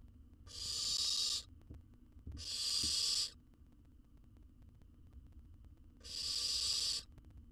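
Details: Owl chick in a research nest box in Israel, wild and free to leave, devouring a whole jird. Three drawn-out, rasping hisses, two close together, then a pause of about three seconds before the third.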